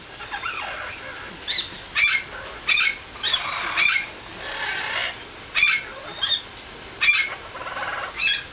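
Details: Tiki, a 34-year-old male greater sulphur-crested cockatoo in a sanctuary aviary, gives short, harsh squawks about once a second while enjoying a shower, over steady hiss of spraying water.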